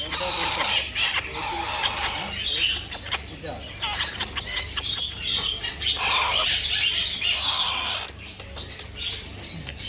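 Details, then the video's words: Cockatoo chicks being fed; continuous harsh, noisy squawking and rasping wheezes rise and fall in overlapping waves, with a low steady hum underneath. "Cockatoo baby’s feeding"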